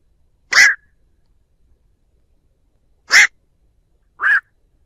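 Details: Black-crowned night heron flock-gathering call for use as a trap lure, no other sounds. Three separate harsh, raspy croaks spaced a few seconds apart, the last one shorter and slightly lower.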